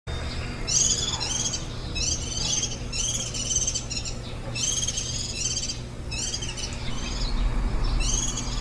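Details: Warbling white-eyes at the nest while nestlings are fed, recorded on site 23 July 2018 on the tenth day of brooding, the day before fledging; high, buzzy, stacked chirps come in bursts about every second, over a low steady hum.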